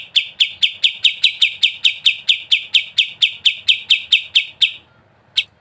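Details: Sooty-headed bulbul, known locally as kapas tembak: a fast, even run of sharp chirped notes, roughly four per second, stopping abruptly, then a single isolated chirp after a short pause.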